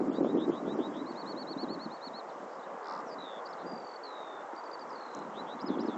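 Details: Eurasian skylark song: a run of fast, high, repeated trills and thin whistled slurs, delivered continuously over a steady low rumble of wind or background noise.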